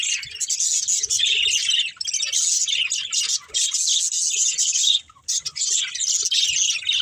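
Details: Budgerigars at play and feeding produce an unbroken high-pitched twitter of quick chirps, interrupted by two short near-silent gaps, with faint clicks lower down.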